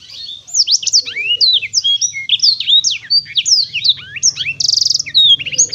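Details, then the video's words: Black-throated canary singing cheerfully: a long, unbroken warble of quick high whistled slurs and sweeping chirps, a brief buzzy rattle toward the end, with a faint low hum in the background. "kicau merdu siBLACKTHROAT"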